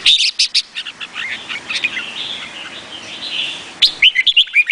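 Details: Vietnamese-type red-whiskered bulbul song. A rapid run of sharp chirps opens, then soft warbled notes follow, and a closing series of quick upward-slurred whistles repeats about three times a second.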